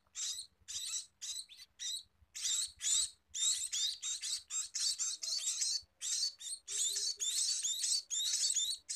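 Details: Scaly-breasted munia during feeding, giving quick strings of raspy high chirps that speed up and merge into long buzzy runs, with brief gaps between groups.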